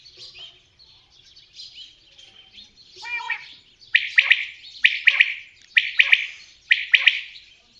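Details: Common quail: soft, murmuring high notes at first, then four ringing three-note phrases in quick succession, each about a second apart.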